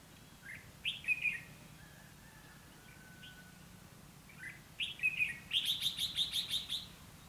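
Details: Red-whiskered bulbul in fighting song at a trap, recorded 29 February 2016: a couple of brief whistled phrases, then a quick string of evenly repeated chattering notes lasting about a second.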